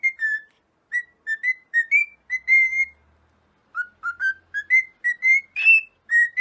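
A cockatiel sings a string of clear, tonal whistles that rise and fall in short bursts.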